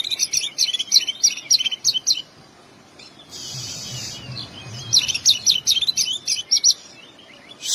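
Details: Oriental magpie-robin singing fill-in material: a quick run of clipped, high whistles, a soft hissing rasp, then another rapid burst of sharp, repeated notes.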